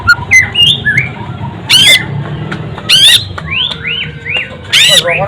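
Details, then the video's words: White-rumped shama, described as an often-winning bird, singing loud rising and falling whistled notes with sharp buzzy bursts, a few short phrases spaced about a second apart, over a low background rumble. "golden voiced bird murai batu"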